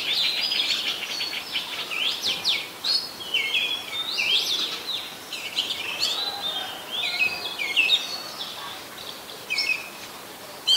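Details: Singing Oriental magpie-robin, a very common resident of Ubon Ratchathani, Thailand, 26 December 2020; a long, rich sequence of rising and falling whistles, sharp chips and warbled phrases with short gaps between bursts.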